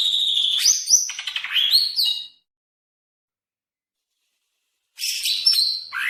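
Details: Banyuwangi-type greater green leafbird from East Java, song variation 1: rapid chattering, buzzy high phrases with rising slurs for about two seconds, a pause, then another dense twittering burst.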